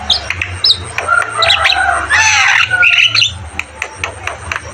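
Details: Energetic Javan myna song mixing grating squawks, brief whistles and rapid chatter in uneven bursts, with a constant low hum behind.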